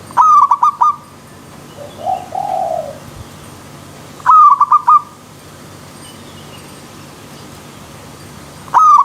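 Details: Zebra dove in the wild: loud, clipped stuttering bursts of short notes recur every four seconds, with one soft, low coo between them and faint hiss throughout.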